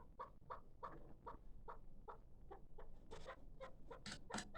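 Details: Steady, evenly spaced clucking notes from a six-month-old hybrid kabk partridge over a strong low rumble, with the notes growing brighter and more crowded toward the end.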